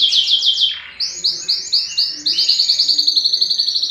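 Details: Yellow canary in song, delivering high rapid trills; a short dip after the first phrase, then a long run of quick repeated notes that speed into a fast rolling trill.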